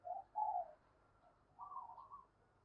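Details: Female dove calling to stimulate males: two muffled, low coos near the start, then a longer wavering coo phrase, with a steady background hiss.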